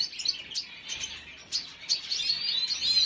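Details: Red siskin, 5 June 2022: sparser high chirps come in short bursts, roughly two or three per second, some thin and whistled, others rougher, over a quiet background.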